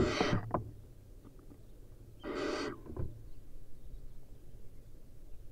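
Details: Wild barn owl practising hunting: two harsh hissing screeches, the first at the start and a second longer one about half a second long near the middle, with soft background noise between.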